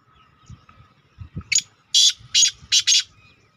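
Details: Partridge call used to attract partridges; after soft low thumps, five loud, harsh, broadband notes come in a rapid uneven series, with a faint steady hum underneath.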